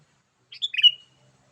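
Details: One brisk 'gacor' call phrase from a sooty-headed bulbul, used to lure wild birds: a quick tumble of chirping notes ending in a short trailing whistle, with faint low murmurs in the background.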